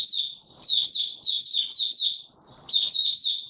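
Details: Male white-eye kept in a cage and pushed toward singing form, 31 December 2021, delivering quick high chattering warbles in closely linked phrases, with a brief soft rustle in one gap.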